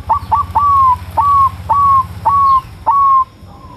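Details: Caged Bangkok zebra dove in a mental test, singing to provoke rival doves into calling: a run of seven clear cooing notes, each with a sharp clipped start then a level, slightly falling hum, spaced about half a second apart, over low hum.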